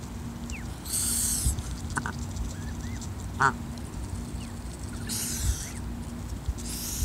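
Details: Hissing mother goose protecting goslings: two long, airy hiss bursts, one early and one late, with scattered high gosling peeps and a short clattering sound between them over a constant low hum.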